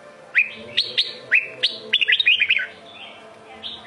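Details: Sông Kôn style red-whiskered bulbul song: a few bright upward-slurred whistles, then a fast rattling run of warbled notes and a softer closing phrase, with low background hum.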